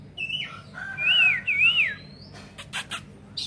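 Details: Oriental magpie-robin delivering clear, looping whistled notes that rise and fall in wavy arcs, then a rising thin whistle and several harsh, scratchy bursts.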